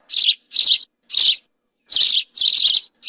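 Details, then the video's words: A group of house sparrows sings, giving harsh, buzzy, high chirps in six short bursts at an uneven pace, with clean silence between them. Finding: House sparrow. "عصفور الدوري الكحالي مجموعة طيور تغرد صافي song house sparrow"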